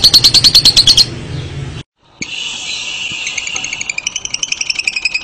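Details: Lovebird ngekek trill: a short burst of sharp, high repeated notes, a brief silent cut, then the fast chattering trill resumes and grows more distinct toward the end.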